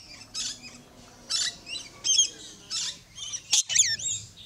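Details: Yellow-streaked lory (Chalcopsitta scintillata) at Lion Country Safari, South Florida, giving about seven harsh, buzzy screeches in quick irregular bursts, the last ones wavering up and down, over a faint low hum.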